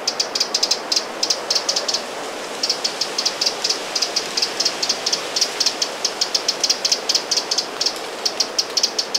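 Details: Scolding alarm of a Eurasian wren by Lake Vänern, Sweden, recorded late July 2017: rapid dry ticks in dense runs, one brief gap early on, against a soft steady hiss.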